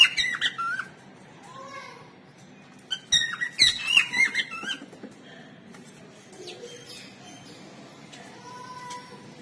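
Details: Pet cockatiel singing indoors: sweet whistled phrases with rising and falling slurred notes, a loud burst of chirpy whistles near the middle, then quieter soft whistles over a low room hum.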